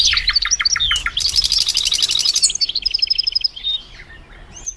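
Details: Reverse hybrid goldfinch singing rapid twittering notes, then a long, evenly pulsed buzzy rattle, ending in softer high chirps and a fading trill.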